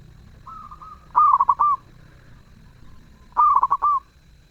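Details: Cooing song of a zebra dove, repeated about every two seconds: a brisk burst of four or five bubbling notes closing with a drawn-out coo, preceded by a quieter, softer coo.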